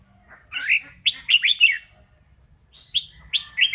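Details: Singing and dancing red-whiskered bulbul in voice training, giving slurred whistled notes in quick bursts, a rich warbling phrase followed after a short pause by a few clear looping whistles.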